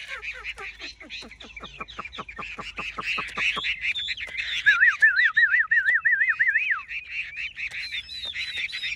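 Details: Big caged Chinese hwamei from Vietnam: a series of short notes sweeping downward, quickening over about three seconds, then a loud wavering whistle rising and falling several times, with busy chatter above.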